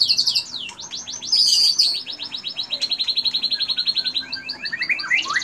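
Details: White-rumped shama (Copsychus malabaricus) in full song: varied, high whistled phrases, then a long run of rapid repeated notes, about four per second, ending in rising slurred whistles; a training-material song mixing in canary-like phrases.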